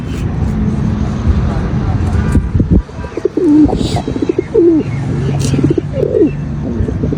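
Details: White male pigeon giving three short, bent coo notes, partly masked by heavy low-pitched background noise and a few clicks.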